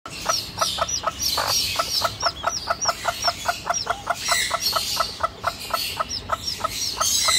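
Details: Domestic hen protecting her chicks, giving a steady run of short, clipped clucks about three per second. Thin, high, upward-curving chick peeps sound throughout, with a faint background hiss.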